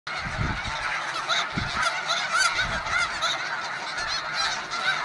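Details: Snow geese in a huge Arctic breeding colony of several hundred thousand birds, producing a dense, unbroken din of overlapping honks and cackles. Low wind rumbles come in gusts.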